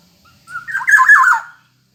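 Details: Black-naped oriole giving a single harsh, nasal, slightly descending squawk lasting about one second, preceded by a faint short note.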